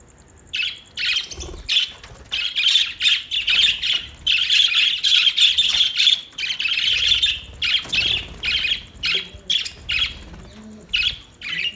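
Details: Budgerigars chattering in a fast, nearly continuous run of harsh, buzzy squawks, dense bursts over several seconds broken by brief pauses.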